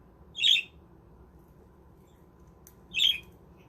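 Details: Budgerigars kept in a self-built aviary village: two brief, scratchy squawks separated by roughly two and a half seconds of quiet, with a faint low background hum.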